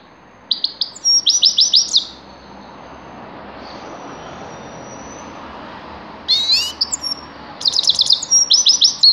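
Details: Grey-crowned goldfinch singing in two bursts of bright, liquid twittering with buzzy trills, separated by a quiet pause of about four seconds.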